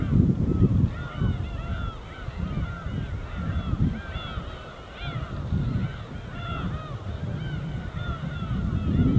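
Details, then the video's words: Gulls in flight over the winter sea on Korea's East Sea coast give many overlapping short arched cries throughout, against a steady low rumble of gentle breaking waves. "갈매기와 잔잔한 파도소리"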